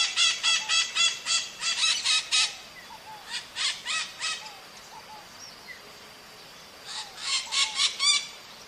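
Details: Wild maritaca parakeets in nature giving loud, harsh, grating squawks in rapid bursts of about eight notes over two seconds, a pause, then further squawking runs, with faint background rustle.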